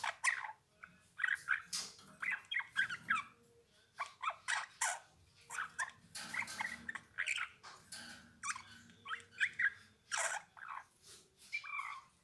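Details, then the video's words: Eurasian bullfinch song made of quick creaky chirps and squeaky twitters in repeated bursts about every second, with a few short pauses and light background hiss. "Chant bouvreuil pivoine"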